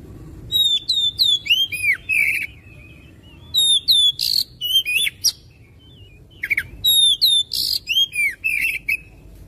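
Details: Oriental magpie-robin song for stimulating another bird to sing: three dense bursts of whistled swoops, buzzy rasps and clicks, each lasting a couple of seconds, with short quiet gaps between.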